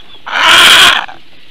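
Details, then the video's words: A female Eurasian bittern in Latvia at 9:25 AM on 7 May 2022 gives one loud, harsh, rasping squawk under a second long in response to an unidentified aerial threat. "Eurasian Bittern~Response of female to unidentified aerial threat"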